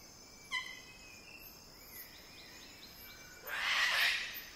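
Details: Wilson's bird-of-paradise (Cicinnurus respublica), close up, gives one sharp, ringing note, then a loud rushing, hissy burst a few seconds later, over faint insect buzz and soft distant bird notes.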